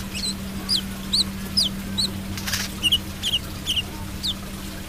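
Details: Brown-throated sunbird singing steadily. Its crisp, high, falling whistled notes come about twice per second, some hooked or doubled, over a constant low electrical hum.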